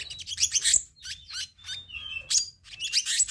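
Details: Black-naped monarch, recorded to train and lure birds: quick harsh chatter notes interleaved with short level whistles, loud and continuous over a few seconds.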